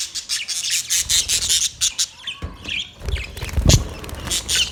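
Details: Budgies in a colony setup give rapid, pulsing high chatter in quick bursts. Low thumps and handling noise rise in the second half.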